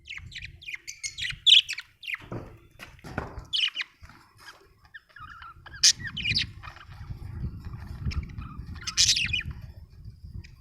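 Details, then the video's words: Budgie twittering with scattered high chirps and squeaky notes amid rustling and a constant low background rumble that grows stronger in the second half. "budgie chirping sound"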